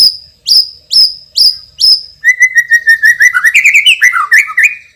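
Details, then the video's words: Champion white-rumped shama with a loud, strong voice: five sharp high downslurred notes spaced evenly, then a rapid trill sliding into varied whistled chatter. "MURAI BATU juara isian super PEDAS_suara lantang dan keras"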